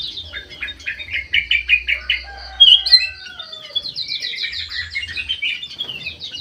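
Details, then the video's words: Vigorous song from a white-eyed golden bulbul living in an aviary. Rhythmic repeated chirps, a sharp high whistle, then another quick run of notes over a soft low hum. "KUTILANG EMAS MATA PUTIH SUPER GACOR"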